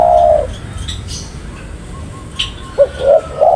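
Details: Spotted dove cooing, a low mellow note at the start and a few short coos near the end, with faint high chirps of other birds in between.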